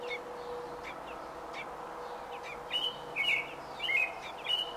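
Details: Robin at day 28 of nesting, June 5, 2018: soft scattered chirps, then louder whistled, slurred notes in the last two seconds, over steady low background hum.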